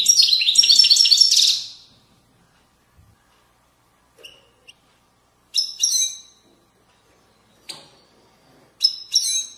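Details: European goldfinch in the Widani style from Moroccan valleys: a short dense burst of high tinkling twitters, followed by sparse, sharp chirps spaced one to two seconds apart.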